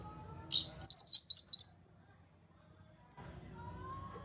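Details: Grey-cheeked bulbul lure call meant to make silent birds respond and sing, a burst of five rapid, looping high whistles in just over a second, then near silence and a thin rising whistle from another bird.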